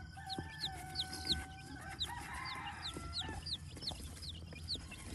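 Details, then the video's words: Vermont farm, US: a Silver Laced Polish chick utters a run of thin, high, falling peeps, while sustained tonal hums and a soft low rumble sound in the background. "Silver Laced Polish Chick"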